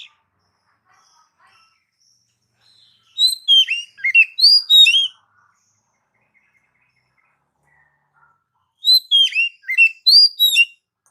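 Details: Oriental magpie-robin song used as a pet-bird training lure: two separate phrases of fast, sharp, downslurred chirps and twitters, each about two seconds long, separated by several seconds of silence.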